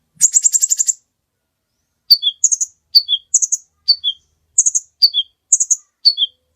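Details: A kolibri ninja sunbird opens with a fast high rattle, pauses, then gives paired descending chirps repeated about every half second. Recorded for training other birds.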